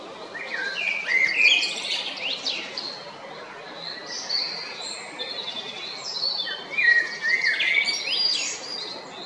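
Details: Male Eurasian blackbird at Jarun, Zagreb, Croatia, on 22 April 2021, delivering several phrases of mixed fluty warbles and high scratchy twitters with short pauses, over a background hiss.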